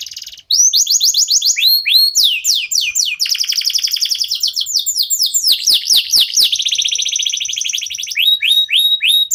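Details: Local canary in full song, used to prompt other birds to sing: a fast continuous stream of high rising sweeps and dense buzzy trills, with rapid notes repeating several times a second and hardly a pause.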